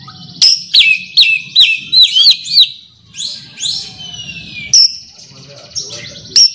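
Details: Oriental magpie-robin calling a rival, a quick series of clear whistled notes with sharp upslurs, about two per second, then sweeping falling whistles and a few spaced high notes; low hum beneath.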